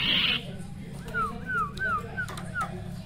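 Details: Male sirtu song meant to stir up rival males, used as a lure: after a short noisy burst comes a run of five clear, downward-sliding whistled notes at an even pace, with clicks and a low background hum.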